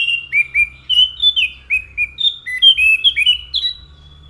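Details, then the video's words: Orange-headed thrush in vigorous continuous song: rapid whistled notes delivered about three per second, each sliding or jumping in pitch, some rising and some dropping. "SUARA ASLI ANIS MACAN GACOR"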